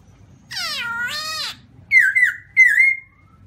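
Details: White-cheeked black-throated laughingthrush singing: a drawn-out, nasal, mewing note with a downward bend, followed by two loud, clear, wavering whistled phrases near the same high pitch, in a quiet setting with low background hum.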